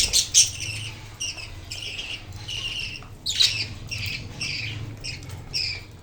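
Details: Newly emerged budgie chick playing with its parents indoors: a steady series of harsh, buzzy squawks roughly every half second, some louder and sharper than others, over a faint low hum.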